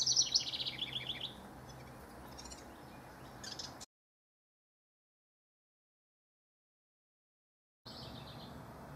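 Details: House wren among rivals, recorded 6/12 to 6/24/15: one quick, high, bubbly descending song burst at the start, then steady low noise, a sudden stretch of total silence, and faint noise returning.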